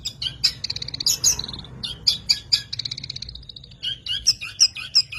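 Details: Long-tailed shrike in lively song: a rapid, varied chatter of high piercing chirps mixed with buzzy, rattling notes, with a brief pause midway.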